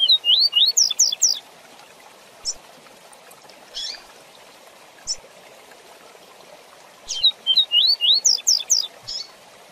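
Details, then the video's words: Fast 'tui tui zel zel' song of a double-collared seedeater, a training recording for young birds: rapid bursts of rising whistled slurs and sharp notes open and close the passage, with scattered single chips between them. "Canto Tui Tui Zel Zel Rápido Para Encarte de Coleiros e Papacapim"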